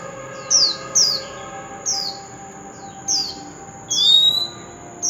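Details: Wild-caught oriental magpie-robin used to stimulate singing: short, sharp, downslurred high notes spaced about a second apart, the last one a longer falling whistle, over a steady high electronic whine and faint hum.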